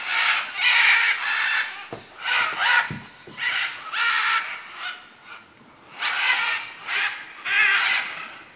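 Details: Macaws in Manu, Peru, calling with a steady sequence of rough, scratchy squawks, about ten in eight seconds, interrupted by a few low thumps.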